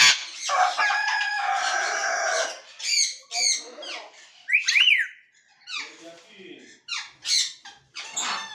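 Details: African grey parrot giving a varied run of calls: a long harsh squawk, then short whistled and squeaky notes, rising and falling, separated by brief pauses.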